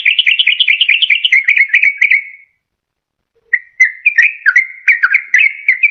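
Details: Lure recording of yellow-vented bulbul, meant to draw wild birds and stir lazy caged ones: a fast burst of bright, bubbling notes, a short pause, then more varied, slurred whistles.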